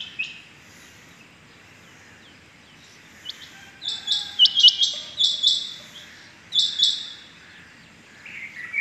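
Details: Rain quail heard on the morning of 6 July 2021: a few high doubled notes after a quiet start, in two short clusters over steady low background noise.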